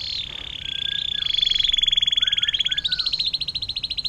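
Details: Atlantic canary singing a long 'air mancuran' (water fountain) style song, used to tutor other songbirds: a fast, rolling, pulsed trill that grows louder and steps up in pitch near the end.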